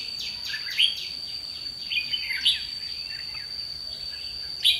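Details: Red-whiskered bulbul decoy bird singing a challenge during trapping on 30 May 2016: short bright warbled and chirping notes in bursts, with a steady high insect-like whine throughout.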